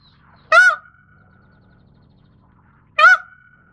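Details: Indian peafowl, Pavo cristatus: two short, loud honking cries two and a half seconds apart, each trailing into a ringing whine, over a steady low background hum.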